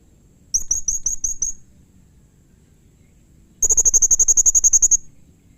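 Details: Blue-crowned hanging parrot calling to provoke answers from other hanging parrots: six sharp high chirps, a two-second pause, then a fast, even trill of about fifteen high notes lasting over a second.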